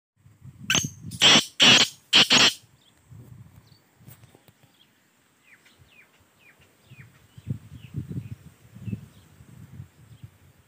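A Black francolin gives a loud, harsh, grating phrase of three or four rasping notes, followed by faint thin chirps from small birds and low rumbling wind.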